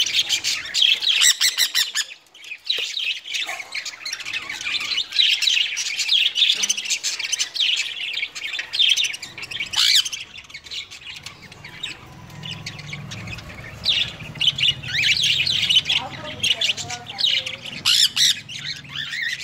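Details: Sun conures kept at home cuddle with a cockatiel, filling the room with loud, grating squawks and shrill chirps in rapid overlapping bursts, barely pausing, over a faint low background hum.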